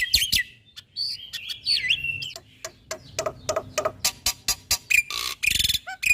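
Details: Black-winged starling singing in a training recording for caged birds. Harsh broadband bursts mix with short whistled notes and rising and falling slurs in an irregular, varied sequence. Quiet gaps separate the phrases.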